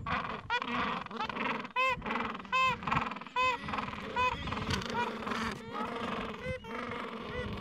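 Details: Gentoo penguin at a Falkland Islands breeding colony on a mild afternoon, among adults tending nests and chicks two to three weeks old; loud rhythmic braying, pulses roughly every 0.7 seconds, harsh and harmonic, over steady colony background calls.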